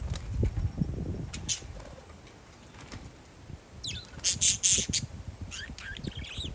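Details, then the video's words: Parakeets calling outside on a windy day: a few scattered chirps, then a loud burst of harsh, rapid squawks about four seconds in, followed by thinner chirps, with low wind rumble throughout. "Parakeets Chirping Outside"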